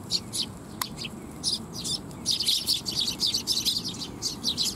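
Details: Group of Eurasian tree sparrows arriving to be fed at a shrine on 12 July 2021, chirping in a dense, rapid, excited chorus of short high notes that grows busier toward the end, with one sharp click early on.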